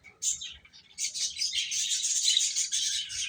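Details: Feeding chicks burst into a thick, continuous wall of shrill, high peeps after a short opening chirp, many voices overlapping steadily to the end.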